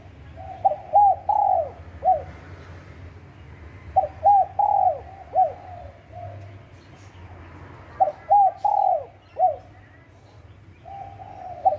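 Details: Wild spotted dove at Bang Bai Mai, Surat Thani, Thailand, giving soft, mellow cooing phrases of several quick notes ending in a longer drawn coo. The phrases repeat every few seconds over a faint low rumble.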